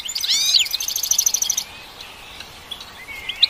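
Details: Goldfinch giving a quick jingling trill of bright repeated notes that stops abruptly, then a near-silent gap before one brief twitter at the end.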